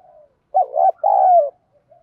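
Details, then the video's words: One full phrase from a spotted dove used to lure wild doves, its "giọng đồng" voice meant to stir fighting: a soft lead-in, a brief wavering coo, then a long low coo that falls at the close. "chim cu gáy giọng đồng thúc đấu, dùng bẹo bổi thì hiệu quả nhất"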